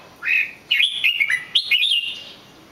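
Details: Red-whiskered bulbul giving a short, cheerful phrase of clear whistles, an opening rising note followed by a bubbling string of up-and-down slurred notes.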